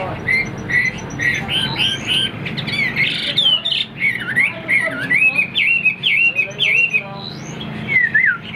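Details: Caged Chinese Hwamei with its tail fanned even when not singing, delivering a varied song of loud slurred whistles, rising and falling, after a noisy scratchy start.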